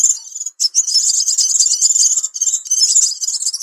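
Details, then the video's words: A crimson sunbird (sepah raja) lure call: a high, thin, rapid twittering trill that runs almost without pause, with brief buzzy breaks. "Suara Pikat Burung Sepah Raja"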